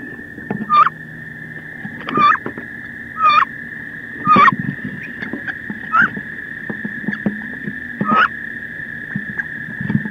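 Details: Wood duck hens in a fierce battle between two females inside a nest box on 16 May, giving sharp, falling squeals with scuffling bursts about once every one to two seconds, over a steady high electrical whine.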